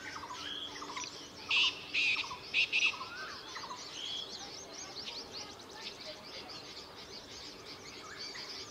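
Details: Verditer flycatcher (Eumyias thalassinus) in Himachal Pradesh, India, giving a quick run of four or five high, thin notes in about a second and a half, over soft chatter from other birds.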